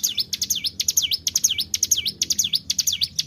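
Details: Prinia song played as a lure to make birds sing: loud, clear, high whistled phrases, each a deep V-shaped swoop down and up, repeated in pairs about twice per second against a quiet background.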